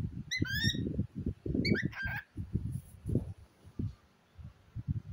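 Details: Pet cockatiel chattering beside a toy pig with a young boy. Two short bursts of bright, rising whistled chirps, with the child's voice talking steadily underneath throughout.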